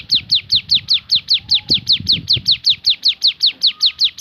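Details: Javan sunbird singing its 'tembakan' variation: a rapid, steady series of sharp, high, downslurred notes, roughly two and a half per second, with faint low rumbling beneath.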